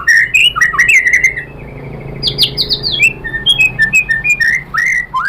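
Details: Murai batu (white-rumped shama) ocehan used to provoke an answering bird: a jumble of quick varied whistles, a burst of very high buzzy notes, then short falling slurs and a closing rising whistle.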